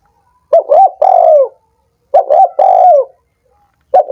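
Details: Spotted dove, played to encourage sluggish doves to call, giving two full phrases: a clipped note, a short rounded coo, then a long descending coo, each phrase about 1.6 seconds apart, clean with no background.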